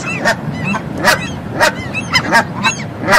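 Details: Canada goose honking, played for children learning bird names and sounds: loud, harsh repeated honks about every half second, overlapping calls from several birds.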